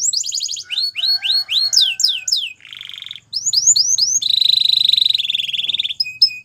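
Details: Belgian canary male in song, moving from quick repeated slurred whistles to a lower buzzy roll, a few rising notes, then a long loud rattling trill and brief high tones at the end.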